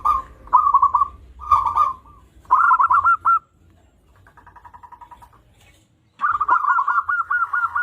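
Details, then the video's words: Vocal local zebra dove with several phrases of quick, rolling coos at a steady pitch, a softer purring trill midway, then a long evenly repeated run of notes. "Perkutut Lokal Gacor"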